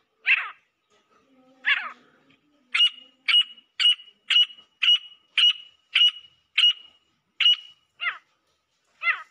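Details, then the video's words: A female grey francolin (teetar) gives loud, shrill, high notes: two slurred opening calls, then about ten sharp, evenly spaced notes roughly every half second, ending lower. "Female Teetar Sound - Gray Francolin Voice - Desi Teetar ki Awaz"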